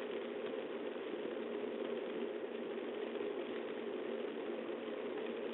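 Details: A continuous idling-engine drone, muffled and unchanging, with no animal calls heard.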